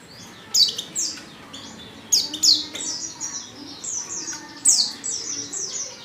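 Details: White-eye female in heat calling a male with bursts of high, slurred chirps, several running together into short twittering phrases, separated by brief pauses.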